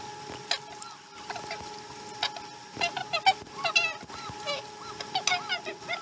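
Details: Osprey at a Chesapeake nest during a slow-starting morning feeding, recorded 2019 12 12: scattered sharp, whistled chirps, some curving up then down, in short bursts after a quiet first second, over a steady electrical hum.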